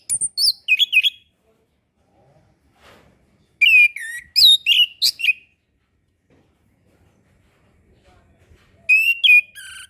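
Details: Orange-headed thrush master song for young birds learning to sing: three bursts of rapid, rich whistled phrases with sweeping slides and high chirps, separated by quiet pauses.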